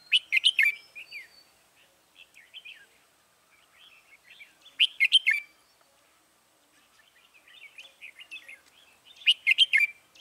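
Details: Red-whiskered bulbul song during trapping of wild bulbuls, January 2018: three loud bursts of bright whistled notes, roughly every four to five seconds, each followed by softer chattering warbles; no other clear sounds.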